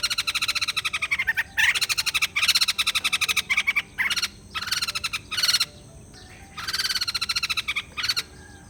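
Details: White-crested laughingthrush chattering in repeated bursts, used to rouse a quiet bird: clusters of quick, buzzy pulsed notes lasting about a second each, split by brief pauses, several birds perhaps overlapping.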